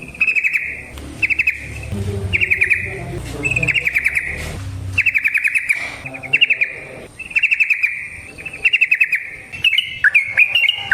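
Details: Yellow-vented bulbul singing as a lure for other bulbuls: short bursts of quick chattering notes repeated about once a second, over low background rumbling early on.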